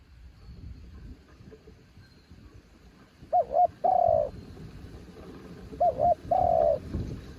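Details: Strong wind blows for several seconds before a spotted dove sings two phrases, each a quick doubled note followed by a long hollow coo, roughly two and a half seconds apart.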